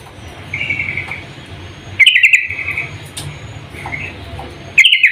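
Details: Female sooty-headed bulbul calling a male, a brief loud burst of rapid chattering notes, then softer phrases and another burst cut off at the end, over a low steady background hum.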